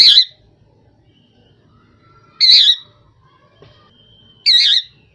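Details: Rose-ringed parakeet, also called Indian ringneck parakeet, giving loud harsh screeching squawks, three wavering notes spaced about two seconds apart, with faint background hum.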